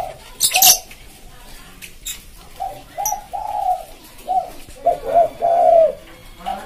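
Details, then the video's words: Spotted dove in the soft 'manggung' cooing style, used as a lure for wild birds: a series of low, mellow rounded coos that build into a longer phrase, preceded by a few sharp clicks and knocks. "Suara Tekukur buat pancing burung liar"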